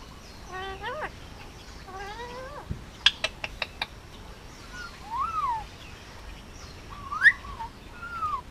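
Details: Male Indian ringneck parakeet, a hand-fed pet nearly two years old on Oahu, Hawaii: two rising harmonic squawks, a burst of rapid clicks, then softer arched whistles.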